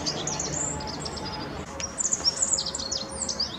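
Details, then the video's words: Rock bunting in the Moselle valley at Apolloweg, Valwig, Germany, giving thin, very high twittering notes, scattered at the start and then a busier run of sharp chirps in the second half over a steady background hiss. "Rock Bunting. Zippammer."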